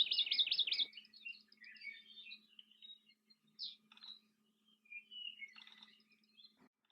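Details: Hawaii amakihi at Hakalau Forest National Wildlife Refuge, Hawaii, opening with a rapid, high, wavering trill (the song, sung only by males), followed by scattered thin chirps and twitters over a faint low hum.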